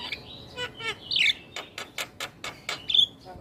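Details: Caged black-winged starling in full song: a mix of rasping bursts, a loud squeaky warble, sharp clicks at steady intervals and a final clear whistle.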